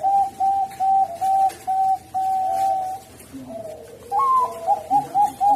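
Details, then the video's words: Bangkok-type zebra dove, sung as a lure to coax reluctant birds into singing: a run of short, level, mellow cooing notes at a steady pace, one long drawn-out note, a brief quieter pause, then a higher, brighter series of quick repeated notes. "Masteran Perkutut Bangkok, Memikat Burung Perkutut Bangkok Yang Mogok"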